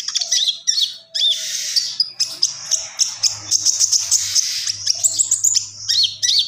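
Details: Common iora pouring out an unbroken gacor song of shrill twittering and rapid chirps. Brief looping whistled notes recur throughout, over a faint low hum.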